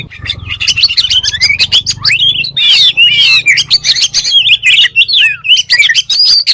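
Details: Oriental magpie-robin (kacer) song of quick warbled whistles and harsh chips over a steady low rumble, the phrases growing louder and busier in the second half.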